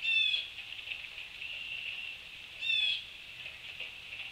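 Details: Autumn flock of male Red-winged Blackbirds migrating south, stopping at feeders in Ithaca, New York, afternoon of 19 October 2020: two short, bright, slurred calls about two and a half seconds apart over steady high chatter of many birds.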